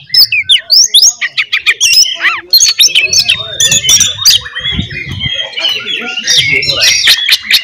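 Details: Oriental magpie-robin in a fighting song meant to provoke other magpie-robins: rapid, varied whistles, chatters and sharp clicks packed densely together, with a low hum beneath.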